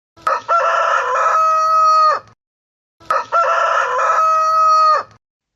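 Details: A rooster (domestic chicken) crows twice, each crow about two seconds long: a short opening note, then a loud, drawn-out, harmonic cock-a-doodle-doo that falls away at the end.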